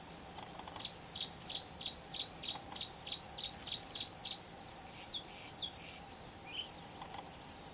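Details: Red-throated pipit (Anthus cervinus) in Cyprus: high, thin notes repeated about three times a second, then a few varied, sharper chirps, over a soft steady hiss.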